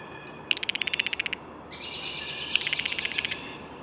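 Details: Blue jay delivering two close rapid rattling series of evenly spaced clicks, the second overlapping a brief higher buzzy note.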